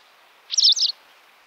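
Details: A Western Yellow Wagtail from Central Russia gives one short, high, buzzy call in two quick parts, a sharp 'psree-eep', against faint background hiss.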